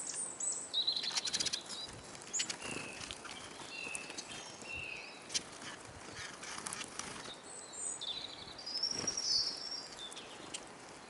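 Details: Many hungry Eurasian siskins at a bird feeder in Kolmården, Sweden, recorded from a camera lying on the ground beneath the feeder; several thin, high whistled call notes scattered through the clip, some short and some drawn out, over faint rustling.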